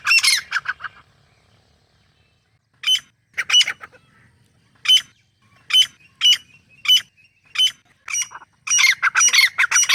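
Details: Wild grey francolin pair, male and female, calling in natural jungle habitat while feeding and exploring; harsh squawking notes in spaced bursts, a loud cluster at the start, then short strident calls every half second or so building into a rapid series.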